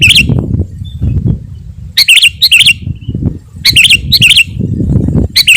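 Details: Sooty-headed Bulbul gives short, bubbly, fluty phrases in bursts every second or so, a recording used to lure wild birds. Steady low rumbling noise runs underneath.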